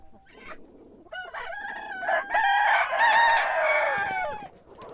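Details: Rooster crowing at morning, a raspy, broken start building into a loud, buzzy, harmonic crow that holds for about two seconds before dropping away.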